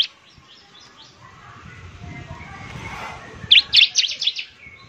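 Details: Bar-winged prinia, a semi-gacor bird, recorded as a lure sound: faint high notes early, then a loud burst of rapid, high, sharp chirps in the last second and a half, over soft background noise.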